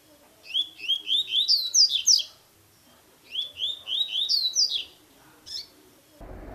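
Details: Double-collared seedeater singing the tui tui song style, used for teaching or stimulating a caged bird before the new season: two bursts of quick slurred notes, each rising or falling, climbing higher through the phrase, then a short single note.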